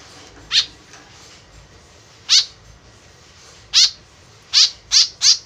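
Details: Chatty white-breasted woodswallow calling, sound used to lure birds in: six grating, buzzy notes, widely spaced at first, ending in a fast run of three.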